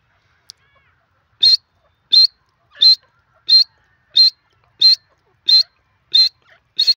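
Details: Grey francolin, the desi teetar, calling in a steady series: nine loud, high, ringing notes repeated roughly every two-thirds of a second, with a clean, quiet background.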